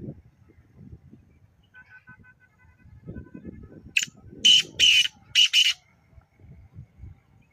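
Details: Black francolin at Nawabshah, Pakistan, giving a burst of four harsh, grating notes in quick succession over low background rumble and murmur.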